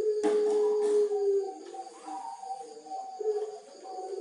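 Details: Caged puter pelung dove from Tulungagung, prized for a thick, loud voice: one long, steady coo, then softer, wavering, broken notes trailing off, in an indoor setting.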